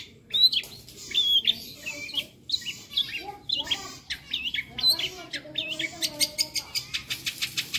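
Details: Long-tailed shrike song, lively and varied with other birds' calls worked in as fill: whistled notes, harsh chattering bursts and a fast series of clicking buzzy notes near the end.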